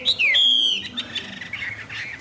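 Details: Newly arrived Chinese Hwamei, caged and recorded around midday in rain: a sharp high whistle, a quick downward slur, then a long ringing note breaking into fast, varied warbles.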